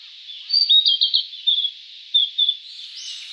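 Japanese Paradise Flycatcher singing a quick run of high, slurred chirps, then a few short, spaced notes over a steady hiss.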